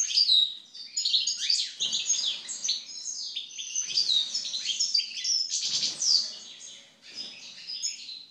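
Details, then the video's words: Post-moult song of a European goldfinch: rapid, tinkling chatter of high twittered phrases with buzzy notes mixed in, delivered in several loud bursts over about eight seconds. "European Goldfinch (Carduelis Carduelis) after moult song."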